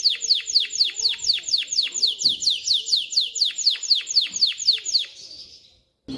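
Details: Singing male canary, meant to teach chicks and ready hens for mating, repeating loud downward-sweeping whistled notes about four per second for five seconds before fading.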